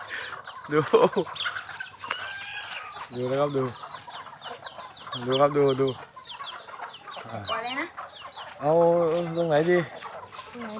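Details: Chicken, possibly a bantam, kept at home, waiting in front of the house for feeding at about 4–5 pm: short clucks and three drawn-out, nasal calls about two seconds apart, with a person's voice nearby.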